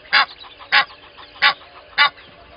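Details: Egyptian goose pair at Gowrie dam waterhole, Djuma Game Reserve, Sabi Sand, South Africa, at dawn: four loud harsh honks spaced about half a second apart over a quiet background.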